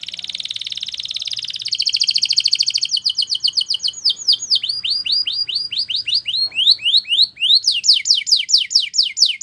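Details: Belgian canary training song: a soft high roll swelling into a louder trill, then changing tours of downward-sliding notes, short rising whistles and fast sweeping notes, all continuous and bright.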